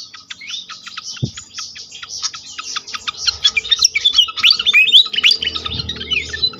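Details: Pied fantail, lure track to draw other fantails into song: steady run of sharp chips building into loud, squeaky slurred whistles that rise and fall; soft low hum and a single knock.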